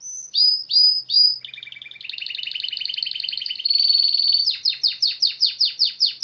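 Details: Canary singing with nature around: three sliding whistled notes, a long rapid pulsing trill that rises in pitch, then a string of sharp down-slurred notes repeated about every third of a second.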